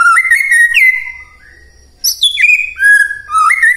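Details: White-rumped shama morning lure song meant to set quiet shamas singing: loud, clear whistled phrases with sharp upward and downward slurs, a brief pause, then more ringing varied whistles.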